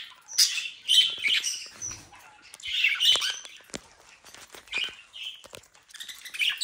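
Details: Budgerigars bred in captivity in the Den Haag area of the Netherlands giving quieter, scattered scratchy chirps and short squawks with small clicks between calls.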